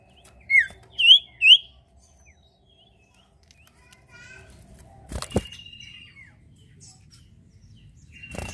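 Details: Lively sirtu bird song, used to prompt other birds to sing: three loud, sharp, rising chirps in quick succession, then quiet rustling and two short bursts of noise.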